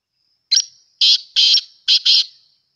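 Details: Black francolin, known as kala or desi teetar, calling: a harsh grating phrase of five rasping notes, one alone, then two pairs, in clean silence.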